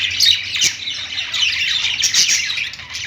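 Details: In a pet store, budgies on a perch chatter nonstop with rapid high chirps and harsh squawking notes overlapping, one sharp click early on, and a soft low hum beneath.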